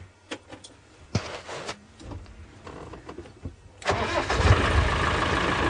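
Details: A vehicle engine clicks, cranks and starts, then idles with a steady rumble; no animal sounds are heard.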